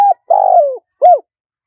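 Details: Spotted dove in high-pitched, wild-style cooing for luring wild doves: a clipped coo, a long vibrating coo that sinks toward the end, then one short arched note, clear and close.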